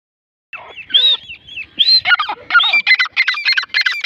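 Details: Grey francolin calling: harsh squawking notes open, then a quickening series of loud, rhythmic, grating phrases repeated roughly every third of a second, building in intensity.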